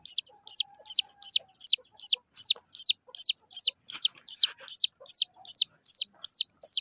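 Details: Small chicks of local chicken chirping, a steady run of loud, high peeps, each sliding downward, repeated about two or three times a second without pause.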